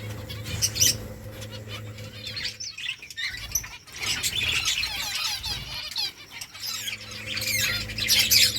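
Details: While eating rice, finches produce a stream of bright, sharp chirps and short trilled notes in clustered bursts, with occasional wing flaps and a low droning hum underneath.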